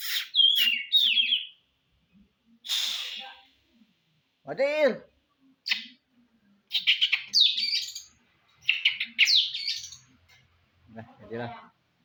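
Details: Oriental magpie-robin song played to provoke a contest bird. Varied whistled and buzzy phrases are broken by pauses. A lower, wavering nasal note sounds midway, and another low rough sound occurs near the end.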